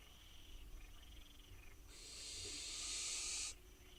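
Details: In Israel, a wild barn owl fledgling begs on its nest box while awaiting food: one drawn-out rasping hiss lasting over a second, preceded by fainter wheezy sounds.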